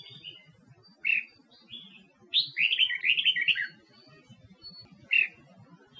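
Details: Female red-whiskered bulbul from Huế singing to stimulate wild-caught males: a few single chirps and soft whistles, then a fast, rolling run of warbled notes, ending with one loud chirp.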